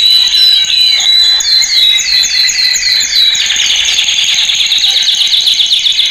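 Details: Male canary song meant to train other canaries: a string of bright curved whistled notes repeated several times a second, shifting into a buzzy continuous rattle-like trill.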